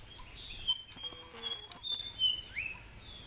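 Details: White-browed fantail in Shakambhari Conservation Reserve, Rajasthan, India, giving thin, high whistled notes, held briefly and strung together, ending with a quick downward slur; the background is quiet.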